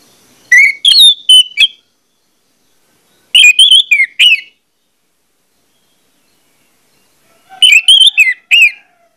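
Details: Orange-headed thrush (anis merah) song used as a pancingan lure to get other birds singing quickly: three bursts of loud, varied whistled phrases with sharp rising and falling notes, separated by silent gaps of about two seconds.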